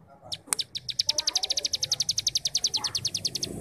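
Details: Cigun singing in ngebrem style, used to train young birds: a sharp click, then a steady run of quick, high buzzy pulses rising slightly in loudness, over a faint murmuring background.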